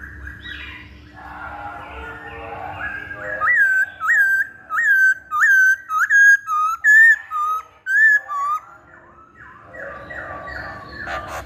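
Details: Masked laughingthrush song used to lure or train birds: a run of loud, rich whistled notes, each with an upward hook, repeated about every half second, framed by softer chattering phrases.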